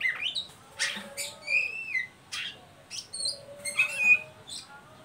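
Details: Oriental magpie-robin, ngeriwik call used to stimulate young birds to sing: loud bursts of harsh chirps mixed with clear whistled slurs, with a faint steady low tone behind.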